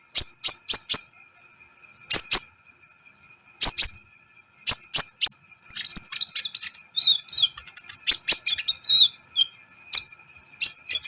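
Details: Sunbird (kolibri ninja) in full song, recorded to make other birds excited; clusters of sharp, very high chirps in twos and threes, then a rapid jumble of twitters and thin notes.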